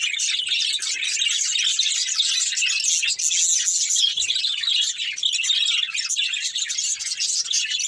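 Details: Budgerigars of one family chirping during play: steady high-pitched chatter of warbled and scratchy notes from several birds overlapping, with no clear gaps.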